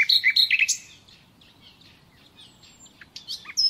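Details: Common nightingale song for training captive birds: loud whistled and rattling phrases in the first second, a quiet gap, then fainter scattered notes and a sharp closing burst of high chips.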